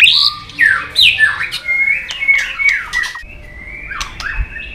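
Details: White-rumped shama, flicking its tail on its perch, in long wild-style contest song: loud swooping whistles and rapid chatter, then a long, even whistled note trailing into softer calls.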